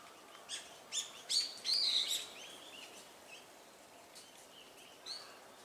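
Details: A flock of azure-winged magpies (Cyanopica cyanus) gives a burst of harsh, buzzy, rasping calls in the first two seconds, then scattered fainter chatter, over a steady background hiss.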